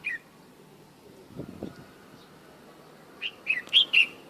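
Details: A bulbul singing outdoors in the morning opens with a short falling note, then after a pause gives a quick bubbling phrase of four or five liquid, whistled notes. A soft low thump sounds in between.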